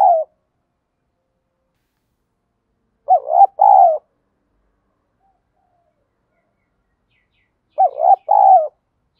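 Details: Spotted dove, field-voice ('giọng đồng') style song used as a lure to provoke fighting: low mellow two-part coo phrases, a stuttered rising note then a longer rolling coo, about five seconds apart in a quiet background.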